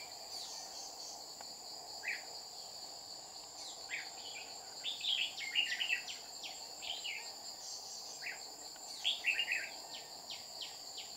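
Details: Red-whiskered bulbul at a trapping site in Đồng Nai, Vietnam, 30 July 2019, a wild bird coming down to threaten the decoy again and again. Lively jumbled warbles and quick falling chirps in clusters over a constant insect drone.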